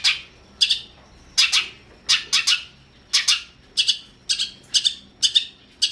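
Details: Long-tailed shrike recorded as masteran training audio for other songbirds, giving loud, harsh, scratchy broadband notes in short bursts, about ten across six seconds, some doubled, over a quiet background.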